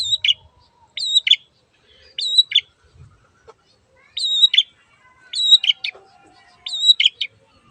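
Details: Long-tailed shrike repeating a short phrase about every 1.2 seconds: a clear level whistle followed by a scratchy buzzy note, given steadily with brief silent gaps.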